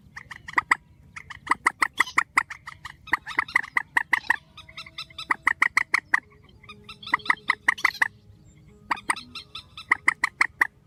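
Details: Grey-headed swamphen calls, edited together: clusters of punchy nasal notes repeated rapidly, a quieter stretch of softer squeaks mid-way, then loud bursts resume toward the end.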